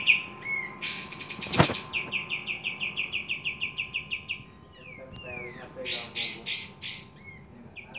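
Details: Javan kingfisher in active voice: a loud click, then a measured series of buzzy high notes, about four per second, followed by a thin falling whistle and a few louder harsh notes.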